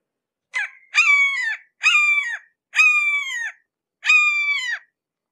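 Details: Up close to a red-shouldered hawk: a short lead-in note followed by four loud, harsh, falling screams roughly one per second, with nothing else audible.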